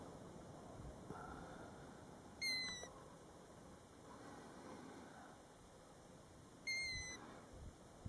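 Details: Roadside golden plover near its nest at Batsfjord, heard from a parked car: two slightly falling whistled notes roughly four seconds apart, with soft background rumble.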